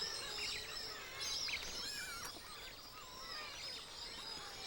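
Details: A spring night chorus of many Streaked Shearwaters seeking mates at their breeding colony on Sasudo island, about 45 km off Jeju, South Korea: overlapping wavering, squealing and warbling cries that rise and fall continuously, over a steady background hiss.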